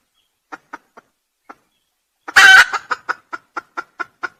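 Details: Junglefowl, recorded for use as a lure: a few soft clucks, then one short, loud, harsh crow burst, followed by a steady run of about eight evenly spaced clucking notes.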